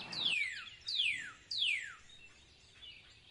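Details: Parrot calling in a forest: three loud, clear whistles, each sliding steeply downward from high to lower pitch, about every half second, followed by a softer fourth note.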